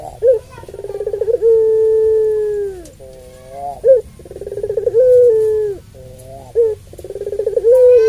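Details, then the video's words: Puter pelung Barbary dove calling repeatedly to provoke other doves; pulsed rolling openings flow into extended low coos, interspersed with short sharp accent notes, several phrases back to back. "Puter Pelung Suara Panjang Ini"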